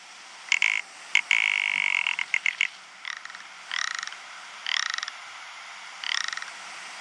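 Rock ptarmigan giving dry, creaking rattles: a quick run of rasping bursts, then four croaking rattles about a second apart, each swelling and fading. Nothing else is heard.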